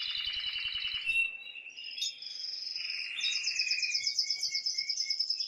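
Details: Aroused male canary singing to excite the female into mating: a buzzy trill over a low rhythmic ticking, then sliding whistles and a long fast high trill of evenly repeated notes.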